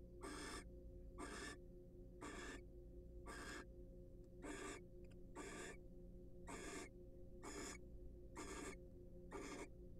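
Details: Ten evenly spaced, breathy screeching hisses, about one a second, from wild barn owls preening and courting inside a research nest box, with a constant low electrical hum beneath.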